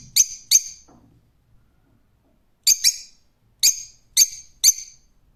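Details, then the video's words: Shrill, rasping screeches of a rose-ringed parakeet, a quick pair, then a pause of nearly two seconds, then a doubled call and three more evenly spaced harsh cries. "Cennet Papağanı Sesi"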